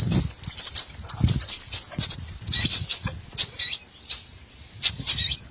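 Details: Small birds calling for a trapping lure: fast series of high hooked chirps, about three a second, then looser twittering with quick dipping notes and short gaps.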